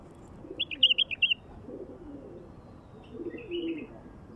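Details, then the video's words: Wild bulbul delivering a rapid, rolling phrase of bright whistled notes, followed by a softer trill, while doves coo low in the background. "تغريد بلبل وحشي لفتح البلابل الوحشية"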